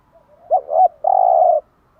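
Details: Spotted dove morning song for stimulating caged birds: a single phrase of a wavering double note leading into a long steady coo, clean with no other sounds.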